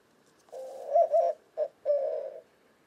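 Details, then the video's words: Low, mellow cooing from a white-winged dove, western North America: a long hooting note with two emphasized pulses, a short clipped note, then a sustained coo. "White-winged Dove Cooing Bird Sound"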